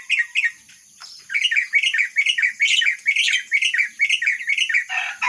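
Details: Myna copying the song of a red-whiskered bulbul: a steady series of quick, bubbling, slurred whistles repeated about twice a second, with a constant high electronic whine in the background.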